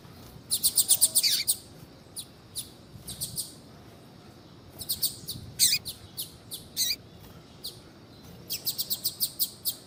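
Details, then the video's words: Female Double-collared Seedeater calling to stimulate a male to sing: short, sharp, high chirps in loose bursts, some quickly repeated in quick runs, separated by brief pauses over steady low background hiss. "FÊMEA DE COLEIRO CHAMANDO PARA ESQUENTAR COLEIRO TUI TUI"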